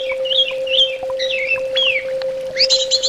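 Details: Orange-headed thrush (anis bata) song played as therapy sound: sliding whistled notes, descending slurs and a final burst of sharp high notes over a constant low electronic tone.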